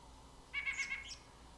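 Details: A White-breasted Nuthatch, a backyard bird that runs up and down tree trunks, gives a quick run of nasal, laughing, rich and buzzy notes lasting just over half a second against faint background hiss; finding: White-breasted Nuthatch.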